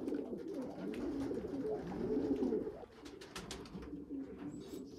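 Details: A weak little young pigeon feeding stronger, larger young pigeons; continuous low, wavering grumbling calls build for nearly three seconds, then fade to quieter muttering.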